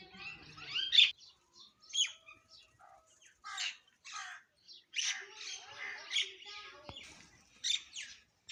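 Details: Myna calling in the morning, a series of separate harsh, squawky bursts about once a second, with brief quiet gaps between them.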